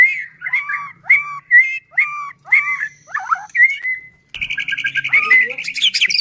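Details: Murai batu (white-rumped shama) song used to provoke other shamas: clear two-part whistled phrases repeated about every half second, a long steady whistle, then a harsh buzzy chatter with scratchy notes.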